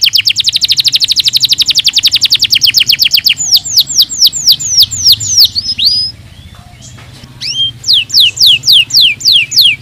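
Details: Canary song used to stimulate lazy birds that are not singing: fast trills of rapid high notes, then a series of loud descending whistled sweeps after a short pause, with a faint low hum beneath.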